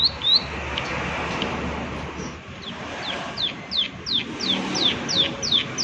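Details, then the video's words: Prinia 'klik klik' calling, starting faint and scattered, then turning into clearer, high, down-slurred clicks about two per second in the second half, over a soft background hiss. "Prenjak Klik Klik Gacor Suara Alam"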